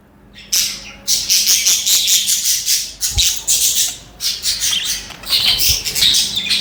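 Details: Budgies chattering and singing nonstop: dense, scratchy, high warbling in rolling waves, each about a second long with brief gaps, broken by sharp squawks and clicks; a soft low hum persists throughout.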